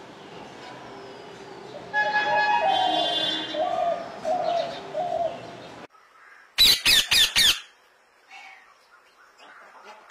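Birds give harsh, nasal squawks and chattering calls, then four loud, sharp bursts in quick succession, followed by faint scattered chirps.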